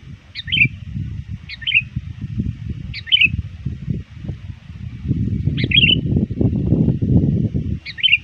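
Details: Sooty-headed bulbul lure bird calling rivals before dusk: five short, sharp-starting warbled phrases at uneven intervals, with a low rumble swelling louder midway.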